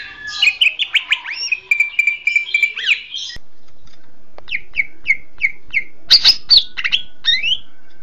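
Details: Greater green leafbird tutor song: dense, varied warbling with a buzzy rolling trill, then a pause followed by a string of short, downslurred chirps and a few sharp high notes.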